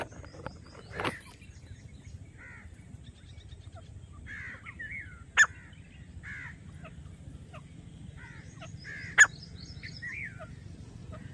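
Grey francolin giving harsh, grating notes in short bursts every two seconds or so, with a few sharp knocks, faint high chirps from other birds and a low rumble.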